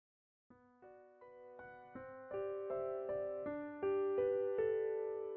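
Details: Gentle electric piano notes struck one after another, building into a slow rising melody with sustained chords; no animal voices are heard.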